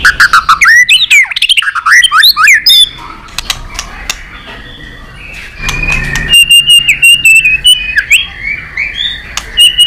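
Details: White-rumped shama giving competition song to stir rivals: opening burst of rapid swooping whistles and warbles, a quieter stretch with a few clicks, then repeated short whistled notes.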